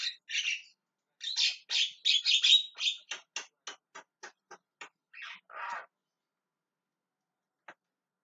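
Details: Javan myna screaming and calling: a quick run of harsh, raspy squawks, several per second at first, then thinning into single shorter notes and a lower rough call before silence.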